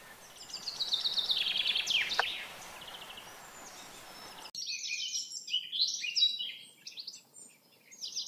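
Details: Common chaffinch song, a descending run of quick notes ending in a flourish, followed after an abrupt break by a busier chorus of high chirping birds.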